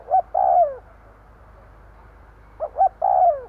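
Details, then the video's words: Decoy spotted dove calling to attract wild birds, giving two cooing phrases; each has two brief low hoots followed by a drawn-out falling coo, with a quiet pause between and a faint steady hum. "Tiếng cu gáy mồi gù gáy kích bổi nhanh nổi"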